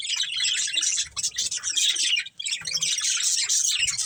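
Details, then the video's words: Budgerigar pair in breeding condition chirping: bright, rapid twittering and squeaky warbles, one short pause just past the midpoint, faint low thuds beneath. "Cute Budgies Chirping Sounds"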